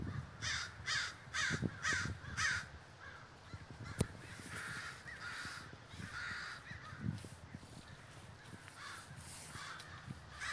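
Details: Flocking crows in Davis, California open with a rapid burst of about six harsh caws, then continue as a looser, fainter chorus of calls, with a sharp click near four seconds and low background rumble.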